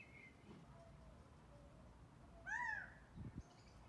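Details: Gambel's quail walking about in Scottsdale, Arizona, giving one loud, rich, arched call that rises and falls over about half a second, with fainter soft notes beforehand and a couple of low thumps just after.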